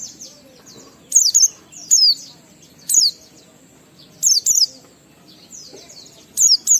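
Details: Oriental white-eye ngalas song with riwikan fill, intended to make other white-eyes sing: sparse, short pairs of sharp, high descending chirps scattered over quiet background.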